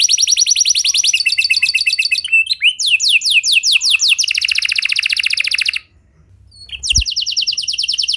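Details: Canary song meant to set other canaries singing: rapid high trills shifting through several phrase types, slower swooping notes in the middle, a short pause, then a renewed quick trill.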